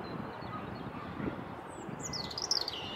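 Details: Robin singing by a leaf yard, unbothered by the camera: a thin high warbling phrase of sliding, twittering notes arrives in the second half over a loud low rumble of background noise.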